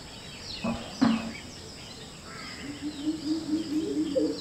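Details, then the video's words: Greater coucal pair in Palakkad, perched on a wall on a January winter morning, calling and counter-calling between mates with beaks shut: two deep, booming notes, then a quick run of low, hollow hoots, with faint chirps of other birds behind. "Greater coucal mating calls"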